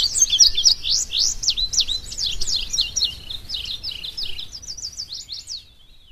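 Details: Indigo bunting (Passerina cyanea), song.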